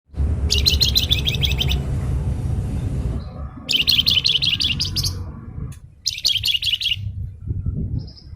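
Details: Flamboyan bird singing energetically: three bursts of fast, high, buzzy chattering phrases, each lasting about a second, separated by pauses, over a loud low rumbling background noise.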